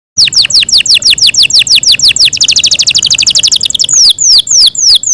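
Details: Yorkshire canary kept as a pet, singing a long loud melodious song: fast runs of high downslurred notes, then a rapid trill of short notes, then slower sweeping whistles.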